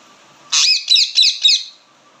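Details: Indian ringneck parakeet chirping loudly: a rough, grating opening note followed by three sharp, high screeches at even intervals, about a second altogether.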